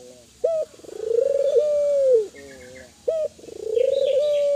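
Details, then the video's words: Kelantan spotted dove giving repeated calls to stimulate other doves: a sharp short note leading into a long pulsing coo that falls off, soft trailing notes, then the pattern again; faint high chirping from other birds. "Suara burung TEKUKUR gacor, merangsang burung Tekukur agar bunyi, burung tekukur kelantan gacor."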